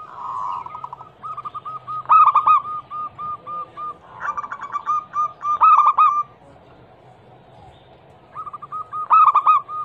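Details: Zebra dove of the local Indonesian type, a female said to be calling males, played as a lure for silent doves: steady beaded coos repeated in quick series, with loud rolling bursts roughly every two seconds and brief pauses.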